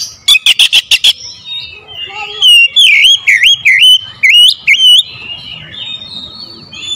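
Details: Kacer, the oriental magpie-robin, in a sharp lure song: a fast run of six clipped, piercing notes, then a series of loud looping whistles that dip and rise, ending in a thin, steady trailing whistle.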